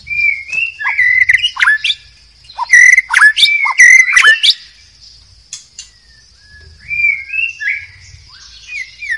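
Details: Forest-dwelling wild white-rumped shama: rich burst of loud rising and falling whistles mixed with sharp clicks and harsh notes, then quieter soft whistled phrases, against a continuous high insect buzz.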